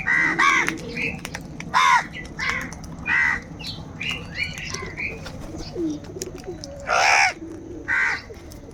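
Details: Several crows fighting for food call angrily: a run of harsh, grating caws repeated irregularly every second or so, some louder and longer, with soft lower calls and background noise between.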